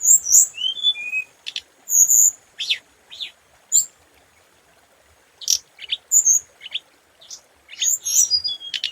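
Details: Scarlet minivet song, described as a standard lure song: high, thin whistled notes and short descending slurs mixed with brief buzzy bursts, sung in scattered phrases separated by pauses.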